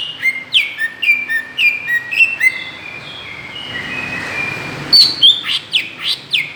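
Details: Greater green leafbird calling as a lure to provoke other birds: a fast series of falling whistled notes, then a quieter smeared stretch, followed by a final burst of loud high whistles.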